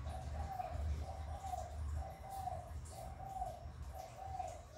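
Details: Spotted dove cooing to rouse caged doves: evenly spaced hollow coos, about one per second, over a low humming background.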